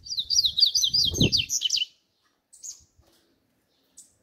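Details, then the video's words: Double-collared seedeater singing the song style called "grego": a fast burst of about a dozen sharp, buzzy, down-slurred notes in under two seconds, followed by a few faint chips and a low thump. "CADA COLEIRO TEM SUA MEXIDA Essa é a do grego"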